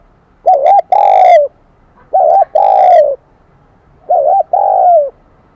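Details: Spotted dove, newly caught from the wild, in the ringing Kim Đồng high-voice style. Three close phrases, one about every two seconds, each a clipped double note leading into a long, drawn-out descending coo.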